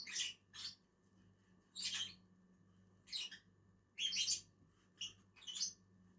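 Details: Two lovebirds eating on a branch utter loud, grating high chirps, single and paired, spaced irregularly about a second apart, with a low mains-like hum throughout.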